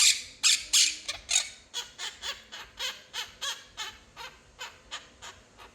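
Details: Talking pet quaker parrot indoors producing a quick run of around eighteen raspy, buzzy chatter notes, loud at first and gradually fading, evenly paced at about three a second.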